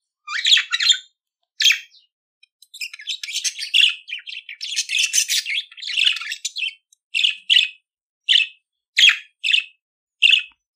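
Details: Budgerigar song: a long rambling run of scratchy chatter and warbles, then a string of evenly spaced short chirps, roughly one every half second.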